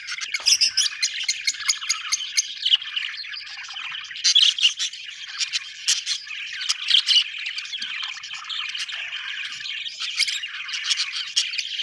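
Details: Several budgies chattering together in a dense, continuous stream of warbled, scratchy chirps and squawks, with brief sharp peaks and clicks scattered throughout and no pause in the flock noise.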